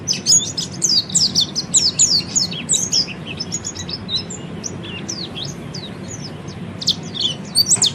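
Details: Oriental white-eye training song, busy high twittering for the first three seconds, then sparser thin chirps, closing with a few sharp notes; low hum behind.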